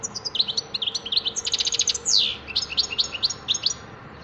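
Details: European goldfinch singing a quick jumble of high chirps, a short buzzy trill and a drawn-out wheezy note, then more spaced bright twittered notes.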